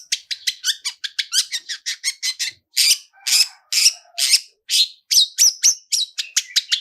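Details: Fast, chattering run from a long-tailed shrike in a 'toet toet' lure with rich fill-ins: about two clipped high notes per second, then louder buzzy bursts and a couple of brief whistles.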